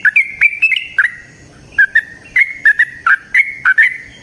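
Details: Yellow-vented bulbul song used as a lure for other trucukan birds. Sharp, liquid whistled notes come in short clusters with brief gaps between them, each note bending up or down, bubbly and emphatic.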